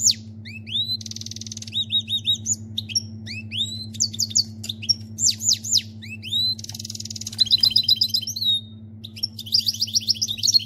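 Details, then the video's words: Canary singing like a goldfinch: bursts of rising and falling whistled slurs, harsh buzzy rattles and rapid high twitters in varied, quickly changing phrases, with a steady low mechanical hum throughout. "Canari chante chardonneret"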